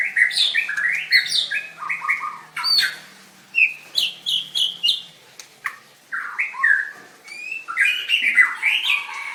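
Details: White-rumped shama, singing-contest winner recorded 7/25/16, dancing and singing hard: rich warbled phrases, a burst of sharp high chirps repeated about once a second, then fuller mellow whistles.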